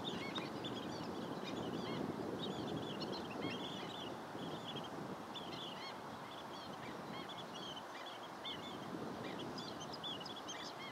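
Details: Long-billed dowitchers giving rapid, high, clipped calls: a dense chatter of short notes, often in quick pairs and clusters, runs through the whole stretch over a constant broad background hiss.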